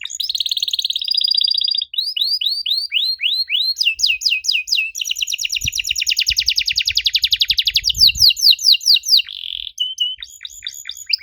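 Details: Canary singing an unusual lure song for young canaries to answer: a long, varied high sequence of buzzy trills, sliding downslurred notes and dense rapid rattles, ending in quick chips.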